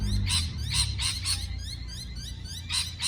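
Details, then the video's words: Parrot chirping and calling: a few loud, grating chirps with a ringing tone, separated by a quieter stretch of faint, rising squeaky notes, over a low rumbling background. "美丽的鹦鹉鸣叫beautiful parrot chirping sound call"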